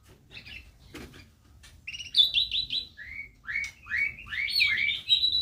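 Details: Canary kept in a small home aviary, singing in the morning: after a faint opening chirp and a soft knock, a lively warbled song begins at about two seconds, with bright varied phrases and quick rolling trills running to the end.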